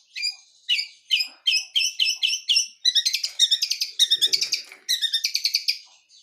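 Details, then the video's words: Wild long-tailed shrike of the blangkon type singing a lively, full-fill song: bursts of sharp, high chirps and trills, repeated in quick clusters and then quickening into dense rattling phrases, with a quiet background. "Kicau Burung Cendet Alam"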